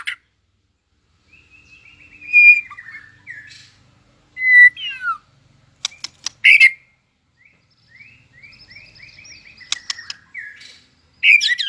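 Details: White-rumped shama singing a competing song: soft rattling trills alternating with loud rich whistled bursts and sharp clicks, phrases spaced a couple of seconds apart.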